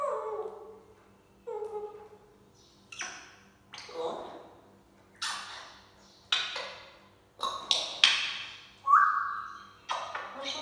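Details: Pet African grey parrot repeating SubhanAllah: a string of short, voice-like syllables with sharp attacks, some low and nasal, others hissy and bright, plus a brief whistled note near the end, spaced about one a second.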